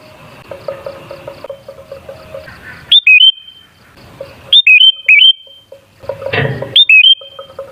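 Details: Sooty-headed bulbul song used as a lure to make other bulbuls sing: short, loud, liquid whistled phrases that dip and rise, three phrases spaced a few seconds apart, with faint insect-like pulsing and a soft low rumble behind.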